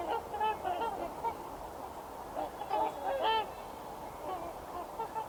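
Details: Many wild trumpeter swans calling together in the Fraser River Valley, Canada, on a freezing January day; a steady chorus of short, brassy, nasal honks in irregular clusters, with no other sounds.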